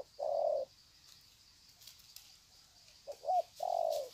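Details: Spotted dove cooing in greeting, 'sạc gù' style, Sê San, 21 February 2020: a long steady coo, a pause, then a short wavering note and another long low coo, with a faint high hum behind.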